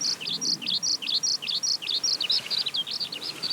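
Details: Skylark in ascending song flight: clear, paired chirping notes repeated in quick succession, high and sharp, bright phrases alternating with slurred lower ones, with little else audible.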